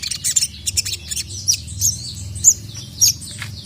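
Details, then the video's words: Spiderhunter (sogon), said to be worked up and calling a male, gives scattered high thin chirps about once or twice a second over a low background hum. "SOGON MANAPUN NGAMUK GACOR LANGSUNG EMOSI dengar masteran burung sogon memanggil jantan ini"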